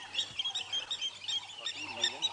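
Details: Wild Water Thick-knees alarming at leopards, and probably at a crocodile, at sunrise on 5 February 2017 on a game reserve near a dam: high whistled notes repeated in quick series, with faint lower tones beneath.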